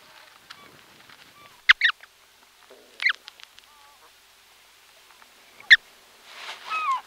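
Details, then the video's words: Close-up of Brant goose goslings calling from inside their eggs: faint, thin piping calls, with a few louder clicks and taps from movement and a soft hiss near the end. "Calls From Goslings Calling From Inside Eggs"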